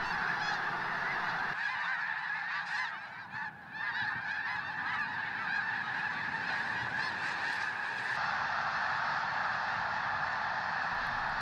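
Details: A huge flock of snow geese on spring migration, stopping to refuel on a lake in southern Alberta, starts a mass take-off, filling the air with a dense, continuous roar of overlapping nasal, high-pitched honks and yelps, with no pauses.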